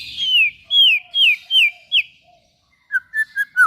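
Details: White-rumped shama song for stimulating other shamas: five clear downslurred whistles, then after a short gap four quick lower notes.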